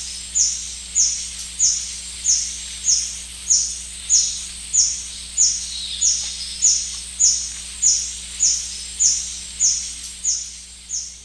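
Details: White-bearded hermit of the Shiripuno River calls in a long, very regular series of about eighteen piercing high squeaks, each falling quickly, spaced just over half a second apart, over a quiet continuous hum.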